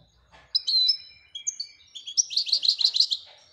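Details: European goldfinch described as a royal goldfinch, starting with drawn-out whistled and buzzy notes, then building into a quick, tightly repeated twitter of bright chirps.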